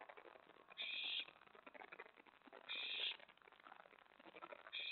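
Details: Owl at the nest on the night of 24 May 2017 as prey arrives; an owlet stored a rat in the pantry. Harsh hissing bursts repeat roughly every two seconds, three in all.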